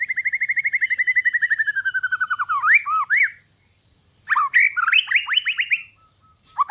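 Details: A one-year-old Aceh forest-bred white-rumped shama sings to provoke other shamas: a long quick string of notes slowly falling in pitch, rising swooping whistles, a pause, then loud jumbled upward whistles.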